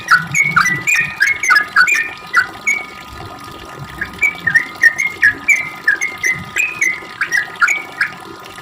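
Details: Sooty-headed bulbul in long rapid ropel song, used as a lure to make other bulbuls sing back: quick run of short whistled notes bouncing between higher and lower pitches, with a short pause midway and a faint steady hum behind.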